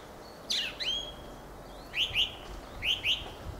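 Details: Fieldfare giving a squeaky descending note, then two pairs of short, slurred chirps a second apart, against a quiet background.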